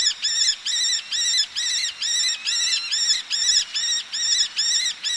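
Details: Close calls of a male Eleonora's falcon, females calling from ledges, sea in the background; a long, steady train of harsh, ringing kek notes, roughly two per second, strongly harmonic and even.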